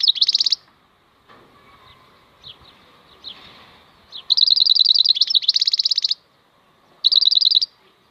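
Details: A wild European goldfinch opens with a brief trill, then after quiet scattered chips gives a long run of fast, bright repeated notes and buzzy twitters, followed by one more short trill.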